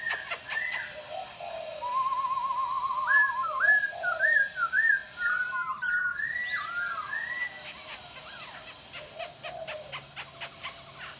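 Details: Laughingthrush pouring out a long, varied whistled song: trilled wavering notes, sliding phrases and short chirps, with sharp clicking taps heard at the start and end.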